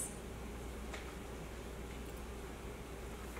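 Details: Quiet indoor room tone with a steady low hum and faint scattered clicks, with no animal voice present.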